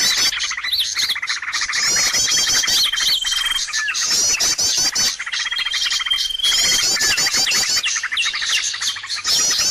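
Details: Lure call used to attract birds: long unbroken chatter of many birds, sharp high chirps and trills layered together, with occasional long thin whistles.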